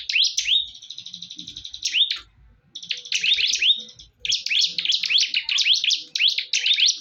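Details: During a fierce fight, a bar-winged prinia, or ciblek, gives a long buzzy, rattling trill, then a short gap, then bursts of quick, sharp chirps that swoop down and up.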